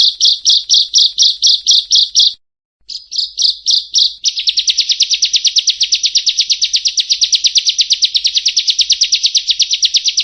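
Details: Bar-winged prinia in vigorous song: a run of about ten sharp, buzzy high notes, a brief pause, then a long unbroken series of rapid identical chips, roughly five per second, in a quiet setting.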